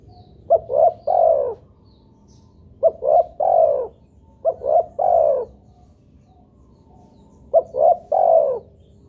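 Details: A spotted dove, played as a lure to set other doves calling, gives four three-part phrases about every two and a half seconds. Each phrase is a short clipped coo, a rising coo, then a longer falling one, with quiet gaps between.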